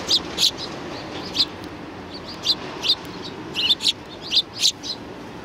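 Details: Several sparrows greeting visitors at a Tenmangu shrine on 7 January 2019 give short, bright chirps, about ten scattered notes in irregular bursts, over a quiet, steady background hum.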